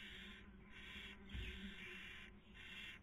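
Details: Webcam recording of barn owls nesting in Cabañeros National Park, Spain, 2020 breeding season, female feeding, male trying to sleep; near-continuous breathy hissing broken into four long bursts, one dull bump.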